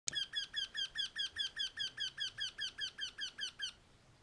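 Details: Eurasian wryneck calling from a walnut tree in Bulgaria on 19 April 2021: a loud series of about fifteen nasal, ringing, slightly rising notes, evenly repeated roughly two to three per second, stopping abruptly.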